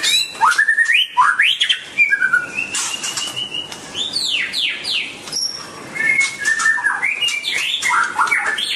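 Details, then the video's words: Singing white-rumped shama delivers a long, varied sequence of rising and falling whistles, sharp downswept notes and scratchy chips, with a sustained high whistle in the middle and faint wing or rustling sounds. "White-rumped shama(Copsychus malabaricus): Beautiful Birds,Dancing And Singing Chirping Sounds Great"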